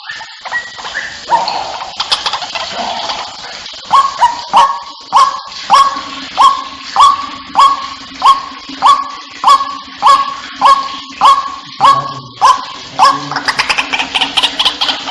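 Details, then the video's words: White-breasted waterhen call used as a lure to bring birds in: short harsh notes at a near-steady pitch, repeated about every 0.6 seconds in a run of a dozen or more, over a low constant hum, with busier noise at the start and end. "suara pikat burung ruak-ruak"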